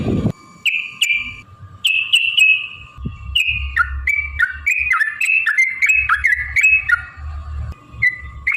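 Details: Yellow-vented bulbul lure song meant to make other birds sing and fight: separate whistled notes building into a quick run of varied, slurred chirps, with a steady faint tone and low rumbling noise behind.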